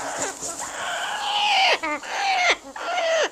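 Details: A captive female Salvin's red-lored Amazon (Amazona autumnalis salvini), about 20-some years old and in breeding condition, possibly nest building, gives loud, harsh, nasal downward-sliding squawks about once a second as she is touched, with a person's voice faintly behind.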